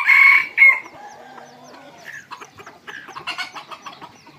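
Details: Red junglefowl in the evening where decoy junglefowl are kept; a loud, shrill, tonal note opens, a brief second note follows, then a run of quick clucking and chattering calls continues to the end.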